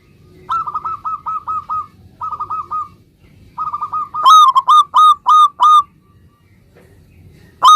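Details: Local zebra dove in full song, used to prompt other zebra doves to answer at once: two soft bursts of quick, clipped cooing notes, then a louder run of about six ringing notes, with a new phrase starting at the end over a faint low hum.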